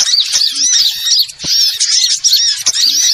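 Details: Lure recording for catching small birds, with quick repeated high chirps and arched squeaky whistles from several birds, broken by one short gap.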